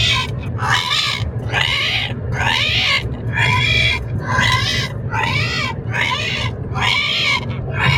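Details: Parrot in a moving car letting out a run of hoarse, drawn-out "rehhh" cries, roughly one per second, rising and falling in pitch, with constant road and engine rumble beneath.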